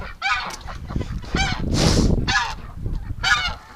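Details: A domestic goose gives loud, harsh honks in four bursts about a second apart near a barn on a rainy, mild March 17 morning in egg-laying season, with a man's voice and low barn noise underneath.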